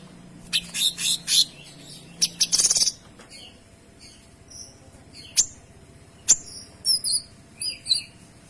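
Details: Kinoy in full song, delivering dense, clear 'tembakan' bursts used for training other songbirds: rapid buzzy high chirp clusters early on, then scattered sharp notes and short whistled slurs, with a faint low hum beneath.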